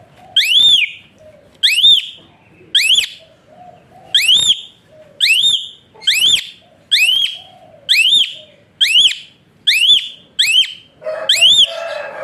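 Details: Asian pied starling's whistle, used to stimulate lazy birds into singing: loud, clear, up-slurred whistles repeated about once a second, each a rising sweep with bright overtones, a faint rustle near the end.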